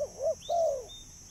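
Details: Spotted dove calling to lure birds: a brief low coo pair, a quick short note then a drawn-out soft note that falls away at the end, over a constant thin high-pitched hum.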